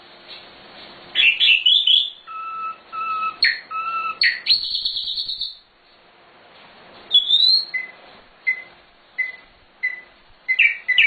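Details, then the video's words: Nightingale song used to train cage birds. Varied phrases mix steady paired whistles, rising slurs and high sweeps, then a rising whistle followed by evenly spaced short chirps repeated about every half second. "Suara Sikatan Londo Nightingale Gacor Full Isian Cocok Untuk Masteran Burung"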